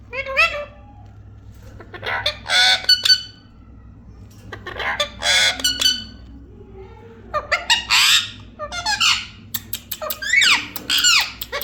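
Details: Parrot squawking repeatedly over about twelve seconds, loud raspy screeches and bursts of clicks separated by short pauses, over a low steady hum.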